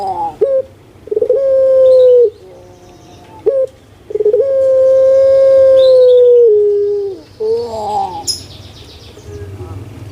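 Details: Large-bodied puter pelung dove kept by a Javanese owner in Indonesia gives deep drawn-out coos, one held for about three seconds and dipping at its end, with faint bird chirps behind.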